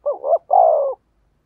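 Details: A single phrase from a decoy spotted dove calling to lure wild birds: a brief two-part low hoot followed by one long, mellow, gently falling coo, in silence.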